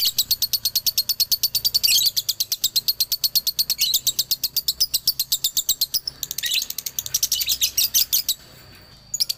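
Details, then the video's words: Long dobelan sequence from a male lovebird of Galendo Ciamis: repeated rapid bursts of shrill chirping broken by short harsh flourishes, pausing near the end before one final chirp. "SUARA ASLI DOBELAN LOVEBIRD JANTAN"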